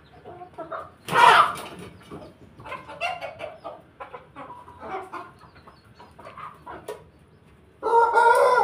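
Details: A mixed flock of Pelung, Bangkok and Ketawa chickens kept together: soft scattered clucking, a sudden harsh burst near the start, then a loud tonal crow rising in at the end and cut off.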